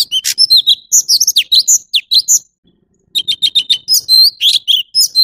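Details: Orange-bellied leafbird (Chloropsis hardwickii) singing a rich, varied run of high whistles, chirps and quick slurred notes, pausing briefly midway before a rapid repeated phrase.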